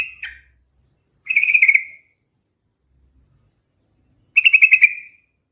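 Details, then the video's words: Sooty-headed bulbul giving short trilled phrases of tumbling, slightly descending notes, separated by silent gaps of one to two seconds. "SUARA BURUNG TRUCUKAN TERMERDU"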